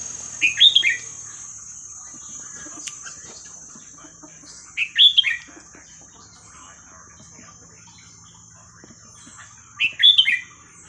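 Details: Red-whiskered bulbul repeating a 'hua khrok khayao khuat' style phrase for teaching young birds: three loud, bubbly whistled bursts roughly every four to five seconds, quiet in between apart from a steady high hiss.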